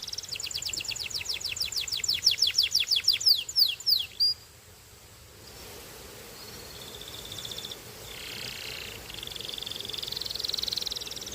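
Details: Belgian canary song: a run of rapid, high descending whistled sweeps for about four seconds, then quiet, followed by faint buzzy rolled trills in the background.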